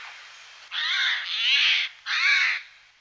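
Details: Eurasian jay calling in the morning in the Wittlich valley, Germany, in 2018. Three loud, harsh, noisy rasping screeches, the first two nearly run together, the last short.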